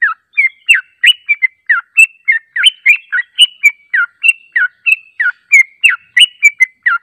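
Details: Yellow-vented bulbul song used as a lure to make birds respond: bright chirpy notes, many sweeping downward, delivered in a quick uneven stream of about three per second, with no other clear sounds.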